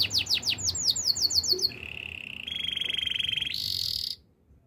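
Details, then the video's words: A canary in song, described as in the wild, delivers quick falling whistles, then switches to a steady buzzy mid-pitched trill, a higher rattling roll and a bright high trill before stopping abruptly. "melodies canary bird sounds in the wild"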